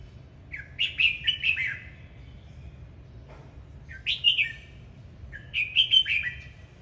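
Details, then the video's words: Dancing red-whiskered bulbul sings three lively phrases of quick whistled notes, the middle one shorter, spaced a couple of seconds apart. "Chào mào hót múa"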